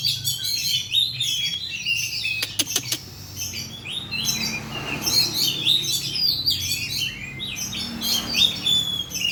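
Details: Oriental magpie-robin song used as a lure to get other birds singing: bright, varied high whistles and quick chattering phrases in dense bursts, with a pause of sharp clicks midway and a faint low hum beneath.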